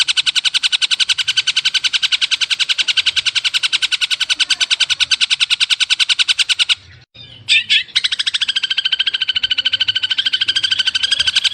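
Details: Masteran training song of the long-tailed shrike: a long, very even stream of rapid buzzy pulses, breaking briefly into a short pause and a few sharp notes, then resuming the same fast rattling series.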